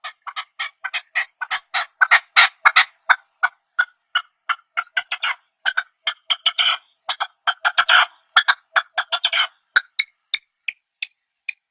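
A partridge gives a rapid run of short, harsh clucking chirps, four or five a second, loud and steady, then slowing and thinning toward the end.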